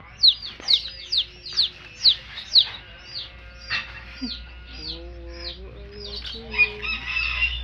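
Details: Hen's baby chicks peeping loudly, with sharp falling chirps repeated about twice a second at first. A softer stretch follows, then lower, drawn-out clucking notes among the continuing peeps.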